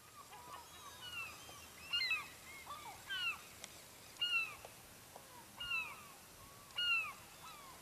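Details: Gulls near a fishing village in Lofoten, Norway, giving repeated mewing, down-slurred calls about once a second, several birds overlapping, with a steady hiss of wind or surf behind them.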